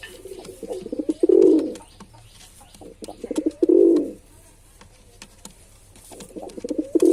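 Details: Male pigeon cooing: low, throaty coos in bursts, each ending in a swelling drawn-out note, repeated about every two and a half seconds, with faint clicks and rustling indoors.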